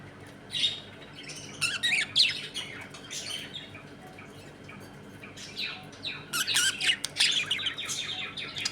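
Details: Budgerigars in a home colony, eating, playing and fighting; bursts of harsh, scratchy chirps and squawks in clusters, with quiet gaps between flurries and a low steady hum underneath.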